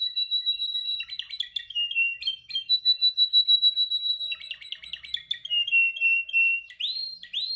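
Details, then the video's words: Pet canary in song training, practising to perfect its song: loud, high whistled notes alternating with rapid buzzy trills and chattering rolls, ending in upswept chirps; no other sounds. "Your canary sings immediately when he listens to this canary singing"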